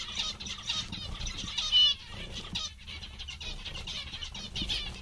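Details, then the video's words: A group of happy, amusing zebra finches chatters with rapid, nasal, trumpet-like beeps and short buzzy phrases, one sharp call standing out just before two seconds, over a soft background hum. "Mandarins bastante engraçados e contentes"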